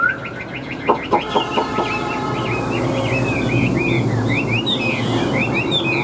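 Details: Chinese hwamei kept in a cage, big with yellow legs and beak, opening with several hard knocking notes, then a fast chain of bright rising and falling whistled phrases over low background noise.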